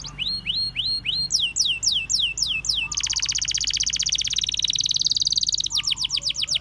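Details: Canaries singing in the wild: a few rising whistled slurs and sweeping downward notes, then an extended rapid buzzing trill lasting several seconds before a fresh series of quick descending sweeps.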